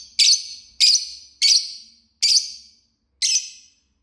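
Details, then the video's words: Lovebird singing and chirping with five loud, harsh, squeaky chirps, each sharp at the start and trailing off, repeated about every half to one second. "Love Bird Singing and Chirping Sounds"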